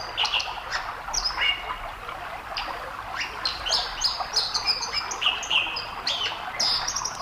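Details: Dipper, a small bird with a white bib, singing on a stream: a pleasant run of high, varied chirps and short twittering phrases, nearly drowned by a steady rush of water underneath.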